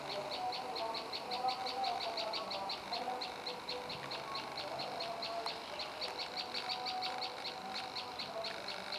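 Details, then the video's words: Olive-backed Tailorbird (prenjak lumut) singing a long, steady series of sharp, high chip notes, about three each second, with a faint lower whistle from another bird beneath. "Burung Prenjak Lumut Istimewa"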